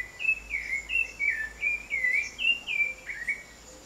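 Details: Backyard sabiá, a wild thrush, pouring out a string of bright whistled notes, each slurred up or down, about three per second, over a quiet background with a thin constant high tone.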